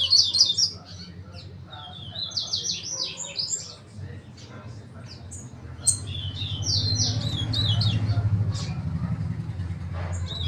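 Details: Double-collared seedeater, known as coleiro, singing bursts of quick sweet warbled phrases high in pitch from the start to mid-clip and again after six seconds, over a steady low rumble of engine-like background noise.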